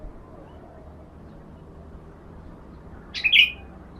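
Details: Sooty-headed bulbul heard in a sunning therapy recording meant to lure other birds; after a long near-silent stretch comes one sharp, brief chirped note near the end.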